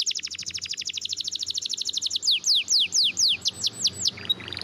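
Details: Spanish Timbrado canary singing a training song: a fast, even run of rising-falling chirps speeds into slower, longer downward-sweeping whistled notes, about a dozen of them, then a brief high tone.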